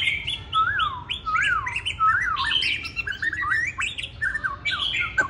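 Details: Hwamei, a tame caged bird in Hanoi, Vietnam, marked by a single white feather and not yet in full form, sings rich looping whistles that rise and fall, then rapid varied phrases with sharp high notes.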